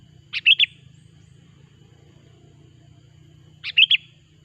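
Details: Lure recording of a sooty-headed bulbul singing to attract bulbuls for trapping: two crisp phrases of three quick whistled notes each, about three seconds apart, with a faint low hum beneath.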